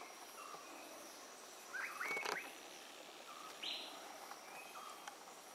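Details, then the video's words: Bronzed drongo in the Western Ghats canopy, feeding by sallying: a brief cluster of rising whistled notes, then a single clear upward-sweeping note about two seconds later, with faint clicks and forest ambience between. "Bronzed Drongo"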